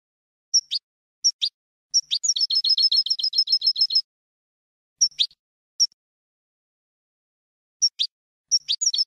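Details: Goldfinch tutor song for young birds, without terminations: scattered sharp double chirps, a two-second burst of fast repeated twittering notes, then more spaced chirps and a final trill starting.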